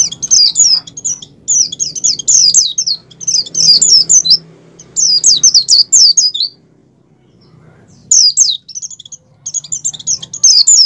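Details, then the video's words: Oriental white-eye (pleci) in strong breeding condition, singing in the wild; high, rapid chattering phrases of down-slurred twittering notes in bursts of one to two seconds, separated by short pauses, over a faint low hum. "pleci over birahi ngalas mempercepat pleci buka paruh dan pleci gacor"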